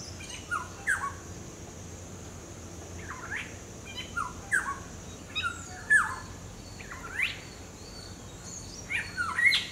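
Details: Black-hooded oriole singing in its natural habitat: short fluted, slurred whistled phrases of two or three notes repeated every second or so, over a steady high insect hum and low background rumble.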